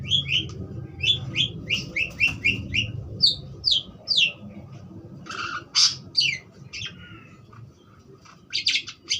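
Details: Budgerigar chirping: a quick run of short, bright, downslurred chirps about three per second, then scratchy, buzzy notes and a few harsh squeaks after a pause. A faint steady hum runs underneath.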